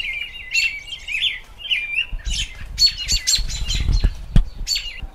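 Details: American robin singing in spring: a run of clear, whistled, warbling phrases opens the recording, then sharper chirps take over over a low rumbling and rustling background.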